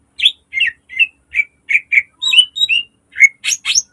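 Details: Caged green leafbird, recorded as lure and training song: a run of evenly spaced, slurred whistled chirps about every third of a second, then a brief pause and a few harsh, buzzy notes at the end.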